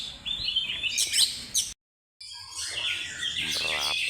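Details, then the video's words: Oriental magpie-robin song used as a lure: loud, varied chirps and whistled phrases high in pitch, broken by a short silent gap midway, then resuming with rapid, buzzy, scratchy notes. "burung Kacer NEW ROMEO power tembus II pancingan Kacer mewah"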